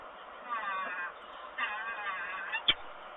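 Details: At Kawęczyn, 21 April 2022, a female peregrine falcon refuses to swap at the nest, giving drawn-out wavering wails in two main bouts, then one sharp note near the end, all over constant hiss.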